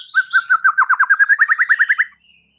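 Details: White-rumped shama song, a bird whose song is said to make other shamas rage and sing back: a fast, even run of about seventeen short whistled notes over two seconds, rising slightly in pitch toward the end.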